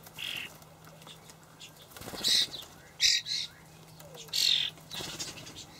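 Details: Young common starlings being fed dried buffalo worms by their parents in a Hamburg allotment garden on 28 May 2012: harsh, hissing rasps in three main bursts, with a faint earlier call and a steady low hum underneath.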